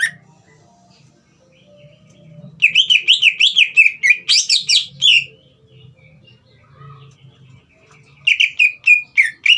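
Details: Green leafbird in full, energetic song, used to provoke a young spotted-plumage bird into singing: bright, rapid whistled warbles rise and fall in a long run lasting about three seconds, then pause, then a shorter burst of whistles.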